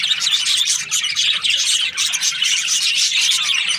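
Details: Several budgerigars kept as breeding pairs chatter at once, a steady stream of shrill tweets and scratchy warbles that stays loud and continuous the whole time.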